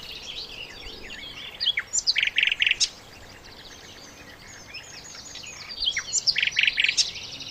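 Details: Flycatcher known as sikatan londo, recorded singing melodiously for songbird training: two separate bursts of high, rapid chattering notes with quick stuttered clusters, separated by about three seconds of faint background twittering.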